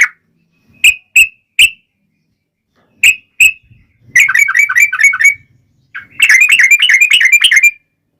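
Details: Yellow-vented bulbul singing as a lure to draw replies from other bulbuls, in a long rolling fighting style: a few spaced, sharp single chirps, then two dense, bubbly chattering bursts.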